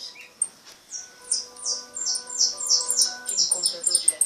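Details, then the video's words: European goldfinch (jilguero pardo) giving a repique: a quick run of high, bright, downslurred notes, about three per second, building in intensity, over a faint steady background hum. "Jilguero pardo repique"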